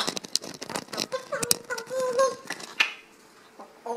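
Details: A grey parrot mimics human speech, reciting the mantra "Om Mani Padme Hum" in a voice-like, wavering tone broken by clicks and soft taps in a small room.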